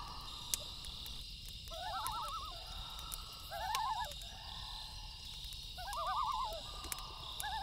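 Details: At night, loons give three short bursts of rapid, yodel-like warbling spaced about two seconds apart, set against popping fire crackle and a constant high cricket drone.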